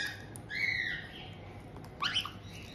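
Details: Indoor white-bellied caiques kept in Tokachi, Hokkaido, Japan, June 2023, a resident pair greeting a new chick aged just over two months; two brief calls, a drawn-out whistled squawk followed by a quick burst of sharp chirps.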